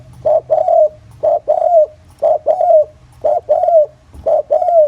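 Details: Spotted dove of the countryside singing 'giọng thổ' as a lure for other doves: a phrase of one short coo and one longer falling coo, repeated steadily about once per second, clear and close.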